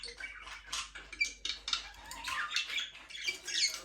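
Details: Budgerigars flying free in a small aviary give soft, scratchy chatter with quick rising and falling warbled notes, quieter and more blurred than bold chirping, with a faint low hum under them.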